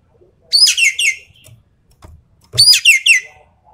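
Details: Two loud bursts of Javan pied starling song, a full rapid-fire style for training contest birds: each holds three or four rich, downward-sweeping whistles, two seconds apart, with a soft thud between.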